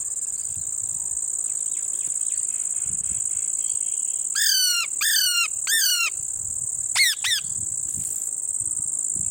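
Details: Parrot feeding on lemon: several seconds of only a steady high insect drone, then three grating, falling squawks in a row, followed by two sharper quick notes.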